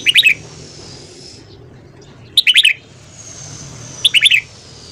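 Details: Red-whiskered bulbul morning song for voice training: loud rapid bursts of four or five sharp whistled notes, repeated about every two seconds, with a faint high drawn-out tone and low hum behind.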